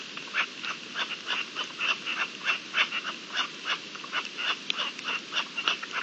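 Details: Partridges in the mating season, recorded 27 April 2021: harsh, clipped chuck notes repeated rapidly, about three per second, in an uneven steady rhythm over a soft background hiss.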